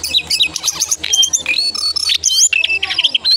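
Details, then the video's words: Brown songlark in full morning song, pouring out rapid, squeaky warbles mixed with clear short whistles and sharp upward flicks, all very high and busy. "Jongkangan/cingcoang coklat Gacor Pagi Sekali"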